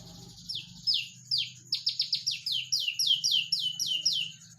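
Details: Olive-backed tailorbird in 'nembak rapat' song, a quickening series of sharp, downslurred high notes repeated about four times a second over a soft low hum.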